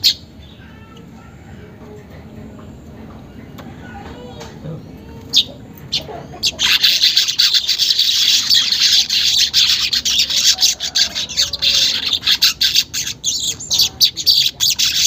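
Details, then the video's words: Near silence for about six seconds, then a weaver bursts into its rapid, buzzy ngeriwik chatter that continues to the end. The recording is unedited and meant as a lure to make caged weavers sing. "pancingan manyar bahan agar cepat gacor"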